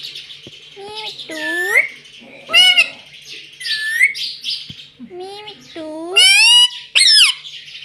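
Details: Talking pet ringneck parrot copying human words such as "mummy" inside a home, giving strident, rasping syllables with rising and falling sweeps, some stretched and wavering, separated by brief quiet gaps.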